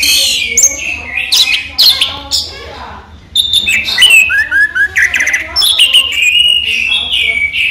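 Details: Orange-headed thrush (raja teler) kept in captivity, singing by day: a busy stream of bright chirps, slurred whistles and high squeaks, a brief quiet moment, then sustained warbling phrases.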